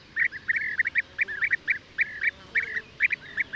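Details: European bee-eater calling, with bursts of rolling, throaty notes in quick groups and a few drawn-out slurred calls.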